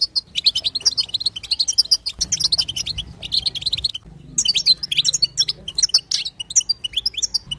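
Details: Female goldfinch (European goldfinch) sitsita and batbata twitter, played to coax a male into song: bright, high, rapid chirps in two long runs separated by a short pause near four seconds.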